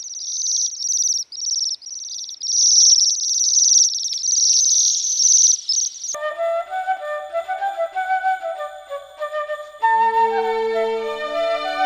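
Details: Bohemian waxwings wintering in the UK give thin, high-pitched trilling twitters in a continuous flock chorus for six seconds, then gentle music with sustained tones takes over.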